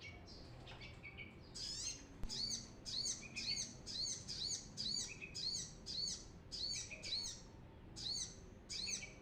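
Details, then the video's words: Actively singing brown-throated sunbird, recorded to lure birds: bright, high, clipped two-part phrases repeated steadily about twice a second, after a few scattered opening chirps and a short pause. "suara ASLI Kolibri kelapa gacor"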